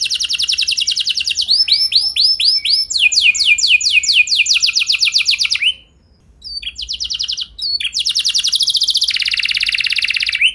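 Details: Canary lure song for setting other canaries singing long rolls: fast rattling trills alternate with sweeping upslurred note series, a short pause around six seconds, then more rapid trills and a sustained buzzy roll.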